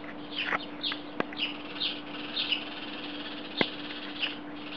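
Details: A chorus of several house sparrows on a wire in Belgrade, Serbia, in July 2016, giving a steady stream of bright, overlapping cheeps, a few each second, over a low electrical hum and a couple of sharp clicks.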